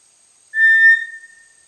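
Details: Single short flat whistle, clear and steady, trailing off softly, from a small dark brownish-gray tinamou of tropical lowland rainforest understory.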